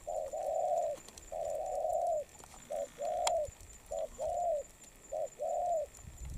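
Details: Wild-caught spotted dove in molt cooing: long smooth coos alternating with short clipped notes in an even rhythm, recorded close with a quiet background.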